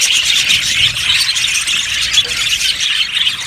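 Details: Yellow budgerigars in an aviary colony chattering continuously, a dense overlapping mass of high scratchy chirps and squeals with no pauses, many birds calling at once.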